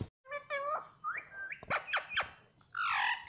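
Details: Indoor pet ring-necked parrot saying "mummy" and "mitthu": nasal, harmonic syllables that step up in pitch, several sharp squawky strokes, then a loud rough wavering cry.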